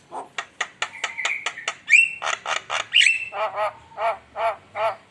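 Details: Javan myna (jalak kebo) singing vigorously as a lure: quick harsh clicking notes, a few whistled tones, then slower, lower croaking squawks repeated about twice per second.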